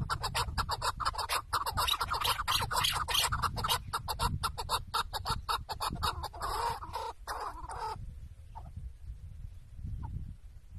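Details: Tethered chukar partridge serving as a decoy on a hunt in Şırnak, Turkey: a dense, harsh chattering of rapid chuck notes for about eight seconds, then near quiet with a few soft notes and low rumble.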